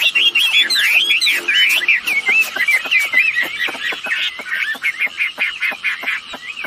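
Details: Wambi birds, female and male, used as a lure to get other birds calling: lively, varied whistled warbling of looping rising and falling notes, tumbling quickly and continuously, with sharp clicking ticks mixed throughout.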